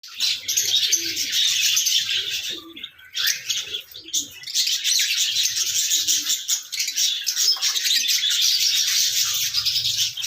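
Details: Pet parrot calling in raw, unedited voice: a dense, almost unbroken stream of shrill, high chirps and screeches with brief dips near the three- and four-second marks, over faint low rumbling background noise.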